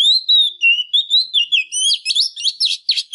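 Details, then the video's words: Female Oriental magpie-robin singing intensely, a song used to stir up males: a rapid run of clear whistled notes sliding up and down, growing into dense, warbled, looping phrases near the end. "Chòe than mái kích trống HÓT CĂNG"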